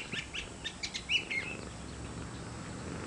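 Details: Curve-billed thrasher singing in a garden: a run of short, high chirped notes, then a brighter slurred whistle that rises and falls, fading into steady background hiss.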